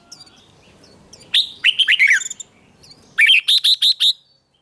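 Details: A red-whiskered bulbul in a singing contest between males gives two bright bursts of song: a quick run of liquid, chattering notes, then a pause and five rapid, evenly spaced whistled phrases.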